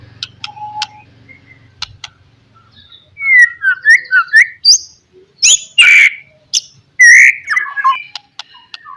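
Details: White-rumped shama song meant to provoke rivals: a few faint clicks and a steady whistle, then a loud burst of varied whistled and harsh phrases about halfway through, ending with scattered chips.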